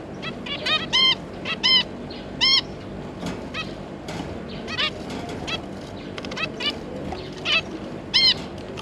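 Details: Zebra finches, a pair and their three juvenile young, recorded on 9 June 2022, giving loud nasal beeping calls at irregular intervals over softer chatter throughout.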